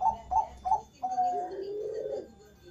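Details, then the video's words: Zebra dove of the Bangkok type singing in the morning, three clipped higher notes followed by a drawn-out, softer trilling coo that fades away, recorded in a small room. "Perkutut Bangkok Gacor ga Berhenti Berbunyi"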